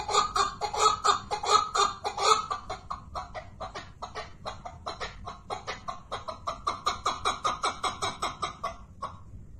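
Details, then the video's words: Repeated rasping chuck notes from a chukar partridge, loud at first, briefly quieter, then a long even run of clipped clucks that stops abruptly near the end. "keklik sesi )partridge sound )звук куропатки )sawt alhajal )chakuur voice birds )صوت الحجل"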